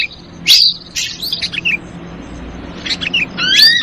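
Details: Lure call of an ashy drongo, 'trucukan ribut' version: short, bright, upslurred whistles and harsh clicks in bursts separated by brief quiet gaps, ending with a rising two-part whistle.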